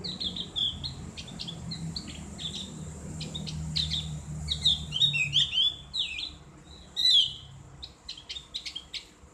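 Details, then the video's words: Ngriwik-style song of a Javan grey-throated white-eye with a clear ngeplong voice, used to train kept birds: rapid high twitters and short sharp notes in uneven bursts, with a soft low rumble underneath. "terapi ngriwik buat burung opior jawa/cak gentong | suara ngeplong"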